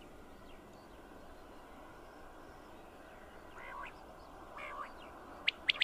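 A male common quail gives three quick, sharp, liquid notes at the very end, after a couple of fainter nasal calls over steady background hiss.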